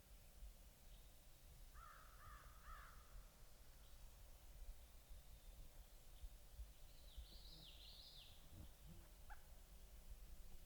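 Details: A wild pileated woodpecker family, a mother with two juveniles, high in trees on an overcast day: three quick, nasal, mid-pitched call notes, then a thinner, higher double note later, over a steady low rumble.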